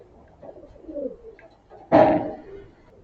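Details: Morning feeding of pigeons on grain: a soft, low, falling coo early on, then a loud broadband flutter or flap burst near the middle, followed by a faint short coo.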